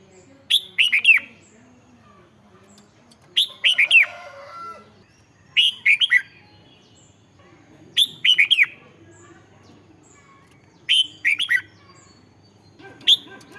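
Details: Caged red-whiskered bulbul singing, used to excite other caged birds: a steady series of short, cheerful whistled phrases of two to four notes, about every two and a half seconds, with a soft trill after one.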